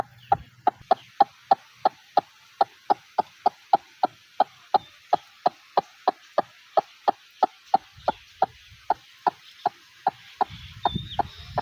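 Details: Long, steady run of about thirty short, hollow, mid-pitched notes from a white-breasted waterhen, a Bangladeshi wetland bird, spaced evenly at a little over two per second, with faint low noise rising near the end.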